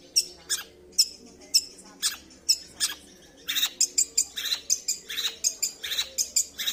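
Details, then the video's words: Long-tailed shrike singing, a series of sharp, high chirps at first spaced about half a second apart, then quickening into a busier run of varied squeaky notes. "Cendet tampilan mewah"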